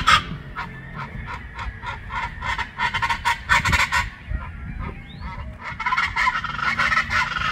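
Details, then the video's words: Raucous chachalaca chorus in Colima, Mexico: strident, goose-like honking syllables repeated in quick series, pausing briefly before another loud burst of overlapping calls. "canto de chachalaca colima mexico"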